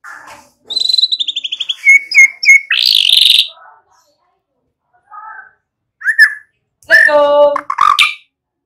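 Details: White-rumped shama song used as a lure to get young birds singing fully and quickly: a fast descending trill, loud whistled notes, a buzzy burst, then a pause before rich harmonic whistles near the end.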